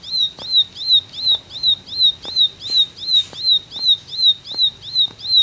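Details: Ciblek (bar-winged prinia) in tembakan song, a steady chain of sharp, high, down-slurred whistled notes about three per second, evenly spaced, with soft ticking clicks in the background.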